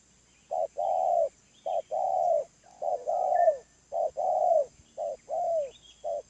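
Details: A wild spotted dove coos in the medium voice style. Each phrase is a brief hoot followed by a drawn-out, falling coo, repeated steadily for several cycles, with occasional thin whistles from other birds in the background.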